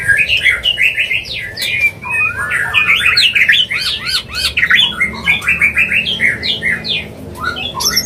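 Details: White-rumped shama mating call meant to bring a bird into breeding condition; long, energetic medley of chattering, looping whistles and rapid warbled phrases running almost without pause.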